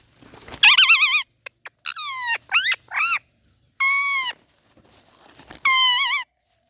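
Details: Parrot giving laughing "haa haa ha" sounds: loud, rich, nasal calls with wavering pitch, some short and falling, others drawn out and level, coming in about five bursts with brief silences between.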